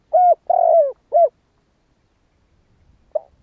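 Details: Cu gáy (spotted dove) kích bổi call: a phrase of three rich, hollow coos, the middle one longest, then a brief faint rumble and a single short opening note.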